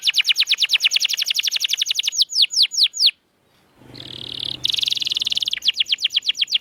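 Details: Canary master song for silent canaries: a rapid rolling trill slowing into sweeping notes, a brief break with low humming noise and buzzy bursts, then the trill resumes.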